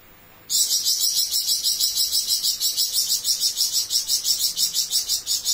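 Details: Flamboyan bird in a long buzzing besetan burst, a continuous high, harsh trill pulsing about three times a second after a quiet start, with a faint background hum.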